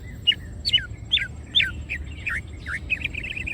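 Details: Greater green leafbird singing energetically with wings opened: repeated falling whistled notes about twice a second, then a run of dipping V-shaped whistles ending in rapid warbling.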